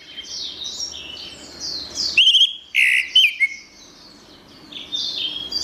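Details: Masteran of an orange-headed thrush (anis merah), gacor style for tutoring songbirds: a short, loud burst of clear whistled and warbled notes mid-way, framed by continuous high buzzy downslurred chirps.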